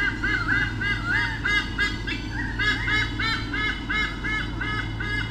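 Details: White-bellied sea eagle pair at Sydney Olympic Park, Australia, in 2013, caught by a nest camera while defending their territory from swooping currawongs. They give loud, honking, goose-like notes repeated about three per second in rapid series, over a steady low hum.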